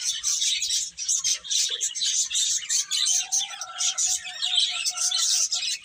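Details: Chicks feeding and at play give a crowded stream of shrill, quick cheeps, pulsing in waves, while a soft, level tone runs beneath during the second half.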